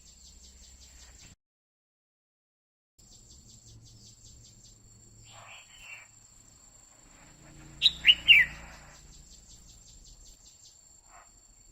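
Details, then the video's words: Female red-whiskered bulbul singing to excite a male, a 'quých kiu' phrase: one bright burst of three quick whistled notes sliding downward, near the end. Steady high insect-like ticking runs through most of it, with a brief silent gap early on. "Chào mào mái hót kích trống liên tục Chào Mào mái quých kiu mào mái hót"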